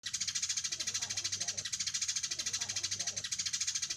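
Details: Sparrow sound used to call the flock in July: a dense, continuous high chirping trill, rapid pulses repeated about three times a second, steady throughout with little pause.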